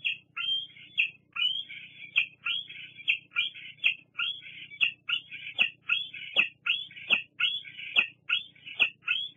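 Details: Begging squees from a juvenile bald eagle at the Fraser Point nest, 8 August 2022, as an adult arrives; a long run of shrill, slurred squeals, each with a sharp clicking end, roughly every three quarters of a second.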